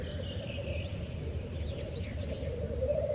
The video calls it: Black Grouse